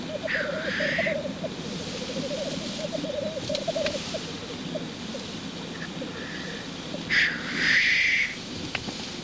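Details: Lekking black grouse cock. Rhythmic bubbling cooing opens with a hissing sneeze, then fades. Two more strong drawn-out hisses come near the end, along with a few short higher notes.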